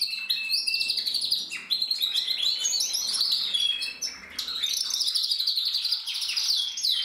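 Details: Crested red-black canary cock from the 2024 breeding season singing: bright, high rolling trills and rapid twittering notes in long phrases with two short dips in loudness.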